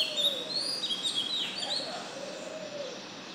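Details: Oriental magpie-robin singing a new song at dawn, 05:02 am on 12 June: quick varied high whistled and warbled phrases, sliding up and down, over a faint lower wavering tone in the background.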